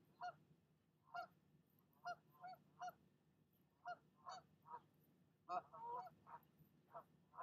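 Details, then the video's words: Goose guarding her nest keeps honking at an unwelcome second goose; irregular series of harsh nasal honks, some doubled, growing busier toward the end, fairly distant-sounding over steady low hum. "Mama Goose does NOT like visitors, and she'll let you know it!"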